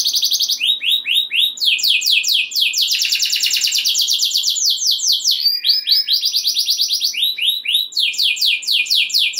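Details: Canary singing loud, continuous rolling song meant to excite other canaries into singing: rapid trills of repeated notes shifting between pitches, bright buzzy rolls and sliding whistled phrases with no pauses.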